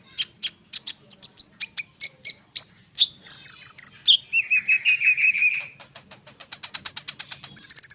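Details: Dense, rolling song of a lively konin bird, used as a lure to provoke sunbirds into answering: quick high chirps and slurred whistles, a sustained warbled phrase, then a rapid rising series of sharp repeated notes.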